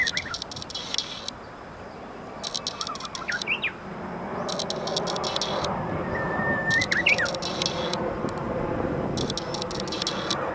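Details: Japanese bush warbler singing in a camellia tree in Maizuru Park on 23 March 2020, its song now much improved; faint whistled phrases near three and seven seconds, a held steady note then quick rising flourish, over constant low rumble and repeated hissy high bursts.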